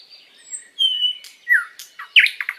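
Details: Sikatan londo flycatcher master song for training kept birds: thin high whistles and a clear level whistle, then downslurred notes and a burst of loud, quick chirps.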